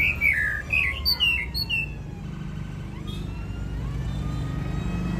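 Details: White-rumped shama, a singing contest champion, delivering a burst of rich, varied whistles that jump between low and high notes for about two seconds, then falls quiet against a constant background hum and a faint whistle.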